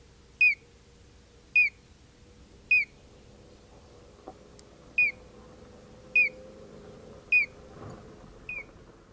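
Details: Collared crescentchest giving a steady series of short, sharp, slightly downslurred notes, about one per second, with eight notes in total and the last one fainter; a quiet background with a faint low hum.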